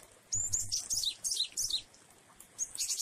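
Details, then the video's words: Glatik wingko Java sparrow giving its jueh song with variations during rain: quick strings of high twittering chirps and bell-like whistled notes in short bursts, separated by brief pauses, with rain hissing throughout. "Glatik wingko jueh variasi dan air hujan"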